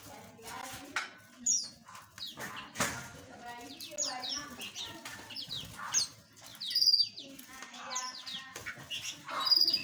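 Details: Several small aviary birds give short high tweets and downslurred whistles in loose bursts, with a soft lower chatter underneath.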